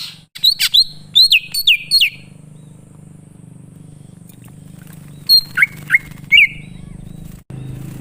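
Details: Greater green leafbird song of the wild, used as a lure to get wild birds to answer: rising whistled notes in two groups, separated by a gap, over a continuous low droning hum.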